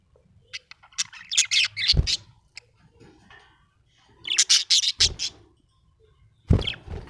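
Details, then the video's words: Budgerigar chattering happily: loud bursts of rapid scratchy chirps and squawky notes in three clusters, with a few knocking thuds between them. "Happy budgie chirping sound"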